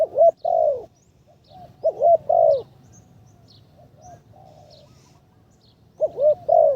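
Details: Decoy spotted dove being trained to call from the ground, third session. Two loud cooing phrases, each a quick wavering pair of notes ending in a long falling coo, with a quiet gap and faint softer coos between them.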